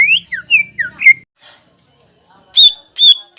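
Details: Greater green leafbird lure song for raising the mood of young birds: a short string of rising and falling whistled slurs, a gap, then two loud, drawn-out ringing notes.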